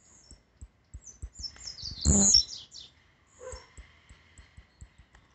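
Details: Blue-black grassquit singing a great deal: a short, loud burst of high buzzy notes with a sharp peak, followed by faint high chips and soft clicking knocks.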